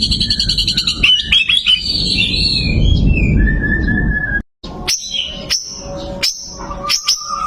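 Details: White-rumped shama with a competition record gives rapid high repeated notes and a sliding whistle. After a brief silence come several separate sharp high chips, with a loud low rumble in the background.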